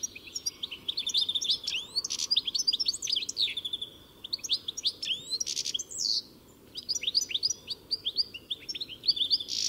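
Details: Continuous bright twittering of a European goldfinch, fast liquid chirps and slurred whistles mixed with a few buzzy rasping notes, with only one short pause.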